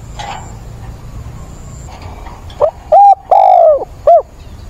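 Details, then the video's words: Decoy spotted dove giving its mate-seeking call, 17 September: after faint background murmur, a four-part phrase of low mellow coos, the third long and drooping, the last short and rounded. "Cu mồi gáy gọi tìm bạn, giọng bổi ức chế, kích là gáy"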